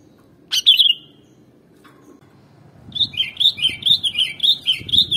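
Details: Sooty-headed bulbul (kutilang) voice played to lure other birds: a sharp whistled phrase, a pause, then a fast run of rhythmic, bubbling, rising-and-falling whistles repeated about every quarter second until the end.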